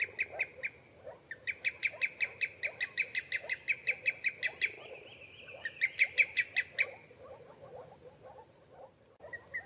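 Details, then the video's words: Common greenshank giving long runs of loud, ringing, evenly spaced notes, about three per second, with a brief trilled flourish midway, then fading; soft lower calls continue underneath. "صوت الطيطوي اخضر الساقGreen shank sound _call"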